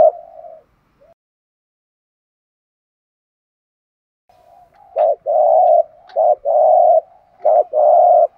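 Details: Thổ đồng style 'thúc gù' cooing of a spotted dove, a voice used to excite and train doves. One coo fades out, a long quiet gap follows, then three low two-part phrases, each a brief note then a drawn-out hum.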